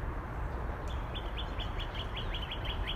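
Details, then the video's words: Northern cardinal giving a steady series of clear, downslurred whistled notes, about eleven in two seconds, over a constant low rumble of background noise. "Northern Cardinal"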